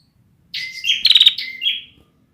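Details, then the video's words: One short phrase from a young bar-winged prinia whose song has not yet matured: a whistled note, a quick buzzy rattle and a trailing whistle, lasting about one and a half seconds. "suara burung ciblek belum jadi"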